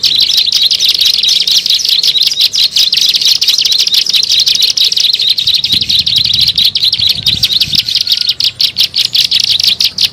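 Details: Bar-winged prinia calling for bird luring: an unbroken run of rapid, high, ticking chirps lasting ten seconds, with a soft low rumble midway.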